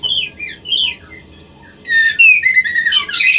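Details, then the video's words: Female white-rumped shama kept in a cage, singing to bring a male into breeding condition; a few soft whistled notes, a pause, then a loud burst of sharp rising and falling whistles and high chattering notes. "Murai Betina Memancing Birahi Murai Jantan"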